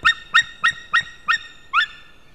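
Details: White-tailed eagle male calling, recorded 16 May 2016 just before noon: six clear, hoarse yelps spaced about a third of a second apart, the last one slightly drawn out and upward-sliding.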